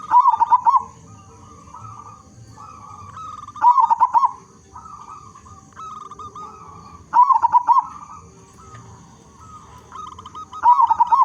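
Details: Local zebra dove with a loud voice, sung as a lure for other zebra doves. Four bold bubbling coo phrases recur about every three and a half seconds, with softer coos from other doves between them and a faint constant high tone.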